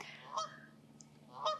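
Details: Geese squawking at a wetland marsh near where people sit talking outdoors: two loud, nasal honks about a second apart, each with a harsh, ringing edge, over a low outdoor hum.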